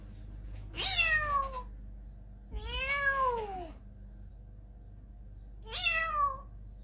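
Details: Grey parrot (Psittacus erithacus), mimicked meow.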